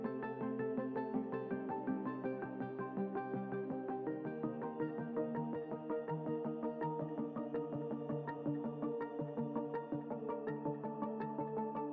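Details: Soft ambient music with sustained synthesizer tones and gentle notes throughout, and no animal sound heard.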